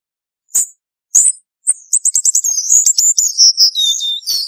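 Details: A few sharp isolated ticks, then the Cuban bullfinch breaks into a fast, high, tinkling trill that runs into warbling, slurred whistles.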